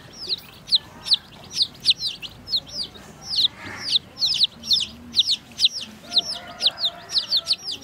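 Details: Baby chicks drinking water give clear, high, downward-sliding peeps, roughly two per second in an uneven rhythm, over a quiet background with faint lower rustling.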